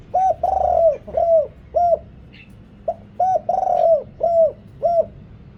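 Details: Decoy spotted dove with a big, deep voice calling wild birds; two phrases of low hooked coos, each built around a long wavering note and trailing shorter rounded coos, a faint chirp in the pause.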